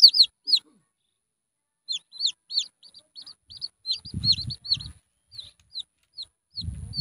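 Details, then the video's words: A small red junglefowl chick cries with high, thin, downslurred peeps in irregular bursts, a few each second, with low rumbling thumps in the background. "suab me nyuam qaib qus quaj ສຽງໄກ່ປ່ານ້ອຍ เสียงไก่ป่าตัวเลัก"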